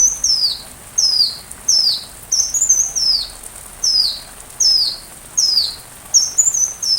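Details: Sunbird song used as a training recording for a white-rumped shama, with rain sounds added: high, thin, downslurred whistled notes repeated roughly every 0.7 seconds, about nine in a row, over a steady hiss.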